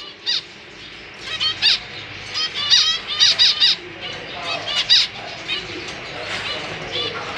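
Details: Caged zebra finches, a pair with three juveniles and three newly fledged young, parents busy feeding chicks: many short nasal, honking calls over a steady background hum.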